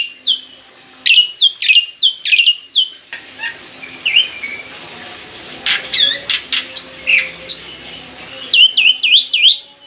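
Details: Mature caged black-winged myna used as a lure: opening run of loud falling squawk-whistles, then a softer, varied stretch of scratchy chirps, with a burst of squawks closing.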